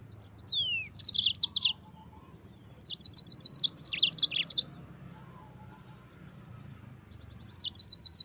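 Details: Mozambik, the yellow-fronted canary, in energetic rolling song meant to tutor white-eyes: fast runs of sharp high chirps repeated about four per second, broken by quiet gaps, one descending whistle opening.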